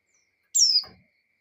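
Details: A female white-eye in breeding condition calls for a male: one high, thin whistle sliding downward over about a third of a second, followed by a soft low rustle.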